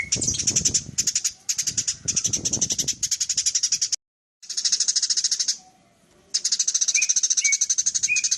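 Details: Full chattering of a Eurasian tree sparrow meant for training birds like cendet and murai: long streams of fast, sharp chips, broken by a sudden silence, with faint whistled notes in the final run and some low background noise early on.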